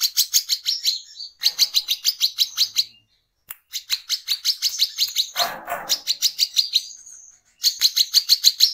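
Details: Brown-throated sunbird (kolibri kelapa) in lively lure song: rapid high chipping phrases, about three notes a second, interrupted by short pauses, with a brief low rustling burst in the middle.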